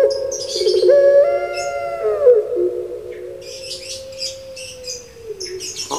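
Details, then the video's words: Puter pelung turtle dove kept as a pet in Java, Indonesia: a deep harmonic coo that steps up, then holds one long, slowly fading note for several seconds. Thin high chirps from other birds sound above it. "Puter Pulung Suara Gemanya Bikin Lupa Diri"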